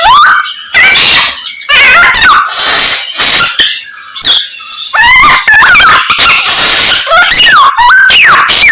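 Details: Common myna performing a song of imitated bird calls, mixing loud grating squawks with sharp rising and falling whistles in uneven phrases roughly once a second, separated by short silences.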